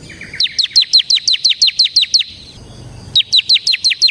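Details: Bar-winged prinia, ciblek semi, in lively song for luring and tutoring birds: a soft low trill, then a steady run of clipped downslurred notes, a pause, and a second quick series.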